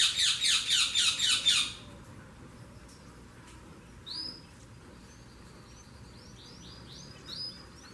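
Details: Saffron finch delivering a loud, fast trill of repeated notes, about four per second, for nearly two seconds, then pausing and following with scattered high sliding chirps over a low background hum.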